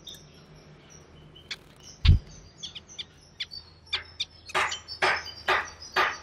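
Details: Male and female Timor zebra finches, recorded on 4 January 2020 in a busy environment, give a run of short, nasal, buzzy notes that quicken and grow louder toward the end.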